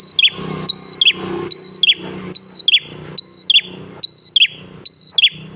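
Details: Prenjak klawu prinia singing tirelessly, intended to prompt other prinias to answer. Each phrase pairs a sustained high whistle with a quick descending chirp cluster, repeated roughly every 0.8 seconds above a steady low droning hum.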